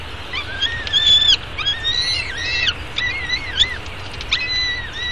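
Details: Peregrine falcon eyas at a downtown Arizona nest webcam, fed breakfast on 24 May 2016 at 9:28 am, giving loud, harmonic, arching wails in bursts of about half a second, repeated steadily over low background hum.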